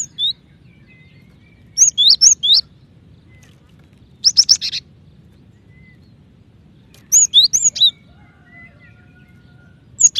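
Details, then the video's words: Cinereous tit, a female calling the male, used to make other birds sing faster; clusters of short, high, sweeping whistled notes come in bursts about every three seconds over a quiet, low background hum. "Gelatik Batu Betina Memanggil Jantan ( cepat bunyi )"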